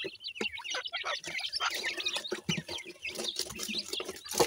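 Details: Feeding grey francolin chicks produce a busy stream of high twittering peeps, many overlapping, with frequent sharp taps and clicks.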